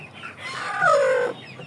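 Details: A broody two-year-two-month-old hen, from a Malaysian flock of Aseel, Shamo and Ganoi Saigon chickens, is let out of her coop. She gives one loud, drawn-out call that slides downward, with faint background noise.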